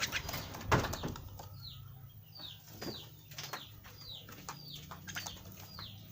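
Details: Young caged pet Javan myna giving thin, high, downward-slurred chirps repeated about every half second, preceded by loud sharp taps and knocks, over a steady low hum.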